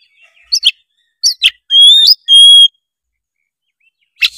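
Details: Oriental magpie-robin singing as a prompt for a lazy juvenile: a few sharp chips, then two long, pure, level whistles, then quiet before one last harsh note.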